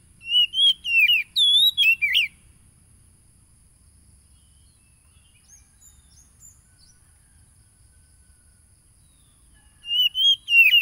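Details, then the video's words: Oriental magpie-robin song played to provoke caged birds into singing, phone-recorded in Lampung, Indonesia, July 2022: a burst of quick, looping whistles, then a long near-silent gap, then another whistled burst at the end. "PANCINGAN SUARA KACER AGAR EMOSI"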